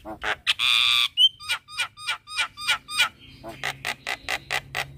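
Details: Javan myna morning lure song for training a quiet bird: a harsh buzzy burst, then a run of short sharp repeated notes about three a second, ending in rhythmic raspy pulses.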